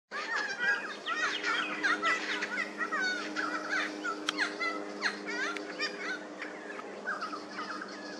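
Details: Helmeted friarbird: loud, raucous, gurgling calls tumble over one another almost without pause, with a steady low hum underneath; recorded 28 August 2023.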